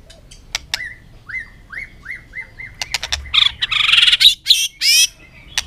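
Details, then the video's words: White-rumped shama in competitive afternoon singing: about seven evenly spaced upslurred whistles, roughly two per second, followed by loud harsh buzzy bursts and sharp clicks. "chòe lửa căng lửa hót đấu siết nắng chiều"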